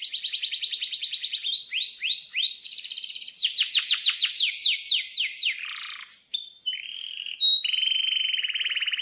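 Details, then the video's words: Canary in breeding condition delivering long rolling song, used to teach young canaries: quick repeated trills and swept notes, a brief quieter patch, then a steady buzzy high trill. "Pancingan Kenari GACOR panjang untuk Masteran Kenari PAUD"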